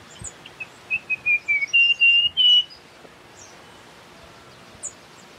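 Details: Russet-crowned warbler giving a clear whistled phrase of about nine notes, starting as short dropping chirps and ending in three longer, steadier whistles that climb slightly, over faint background hiss.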